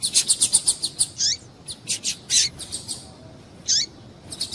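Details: Double-collared seedeater female giving calls meant to stimulate males: a fast run of high, ticking chirps, then scattered sharper notes and a few downslurred whistled chips.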